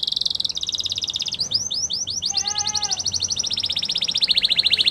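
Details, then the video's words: Spanish Timbrado canary singing continuous rapid trills, with a run of falling whistled notes and a brief lower nasal tone midway, ending in a steady rolling trill. "Spanish Timbrado Canary Singing"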